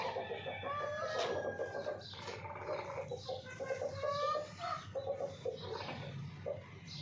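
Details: Domestic hens clucking: a run of short, nasal, harmonic clucks and drawn-out croaky notes in irregular bursts, with some human voices mixed in.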